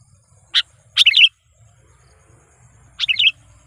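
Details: Sooty-headed bulbul lure call meant to agitate wild rivals: a sharp chip followed by a quick bubbly three-note phrase, then a pause and another bubbly phrase, faint low hum behind.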